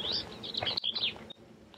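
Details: An Arizona Bell's Vireo sings at a campground at Roosevelt Lake, Arizona: a fast, scratchy chatter of high warbled notes lasting under a second, then a thin whistled note over faint background hiss.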